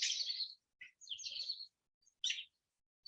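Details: Blue jay (Cyanocitta cristata), a recovering rescued female, gives her first imitation: an American robin's alarm call of harsh, high, scratchy bursts, three about a second apart with brief chips between; mimicry.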